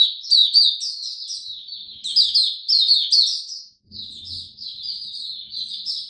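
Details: Hobby-kept oriental white-eye singing in cold rainy weather, 8 October 2022, with its diet adjusted; a fast stream of high, sweet chirps and slurred downward notes, one short break midway, a soft low rumble in the background.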